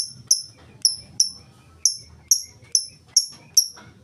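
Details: Lovebird in full ngetik song with no ngekek, used as a lure for other lovebirds: nine crisp, high-pitched ticks, each with a short falling tail, repeated about every half second over a faint low rumble.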